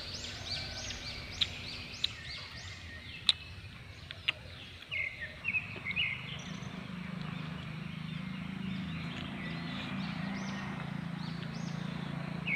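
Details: Morning chorus of several birds at a forest-department timber yard in Dandeli near the Kali River, early November 2020: dense high twittering of repeated arched chirps, a few sharp clicks, and low rumbling ambient noise underneath.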